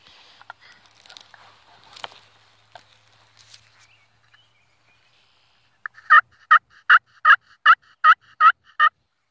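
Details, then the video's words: Faint rustling and scattered clicks for several seconds, then a wild turkey bursts into eight loud, regular gobbling notes in quick succession, each harsh and rattling. "Turkey turkeys"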